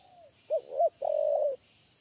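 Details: Spotted dove (tekukur) of the three-note "kuk 3" coo type, chased and then entering a trap cage. A soft low coo: two short hollow notes followed by a longer, steady drawn-out note.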